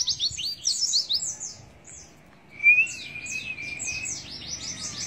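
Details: High, rapid twittering from an Oriental white-eye in 'nembak isian' style, a short gap, then a clear sustained whistle beneath renewed fast chirps.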